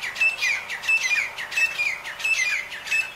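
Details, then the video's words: Black francolin (black partridge) in Nawabshah, interior Sindh, Pakistan, giving harsh, scratchy, high-pitched notes in a quick rhythmic series, each burst about every two-thirds of a second, over quiet background. "Irani Teeter Ki Awaz | Black Francolin | Black Partridge"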